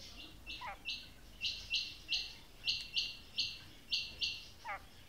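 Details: Calling female quail (batair): a fast, even series of harsh, buzzy high notes, roughly three a second, with two brief descending slurred notes near the start and the end.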